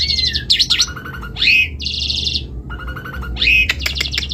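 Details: Asian pied starling in full song: a varied jumble of whistles, harsh buzzy bursts and rising slurred notes, with a low rumbling background noise throughout.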